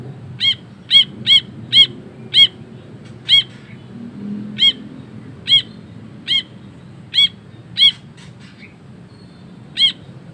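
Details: Ashy bulbul, vocal and energetic, giving a long series of short, sharp, ringing harsh notes, quick at first, then spaced about every half second to second, with a few fainter notes between.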